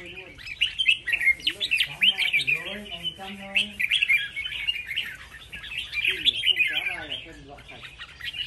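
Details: Red-whiskered bulbuls in a singing contest: dense, bright, chattering warbled phrases run almost without pause, with quick twittering notes overlapping throughout, while men talk quietly underneath.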